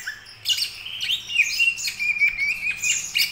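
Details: Young Greater green leafbird beginning to practise its song: a busy, varied stream of sharp high chirps, squeaky slurred notes and short whistled phrases delivered in quick bursts.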